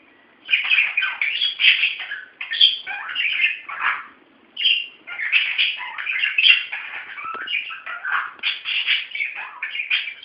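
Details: Several excited pet budgerigars chattering nonstop while playing: busy, scratchy warbles, high chirps and clicky notes running together in quick bursts with only short gaps.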